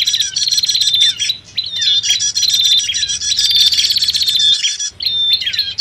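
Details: Agitated prenjak (bar-winged prinia) chatter from a bird-trapping lure mix that also holds sirtu or cipoh (common iora) calls. Fast, high, buzzy rattling bursts overlap almost continuously, with two brief pauses.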